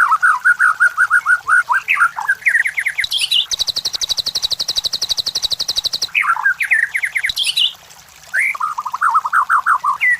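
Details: White-rumped shama song used as a training lure for competition birds: loud, varied phrases of quick slurred notes, then a fast, even, high rattling trill lasting about three seconds, followed by more jumbled, rising and falling phrases.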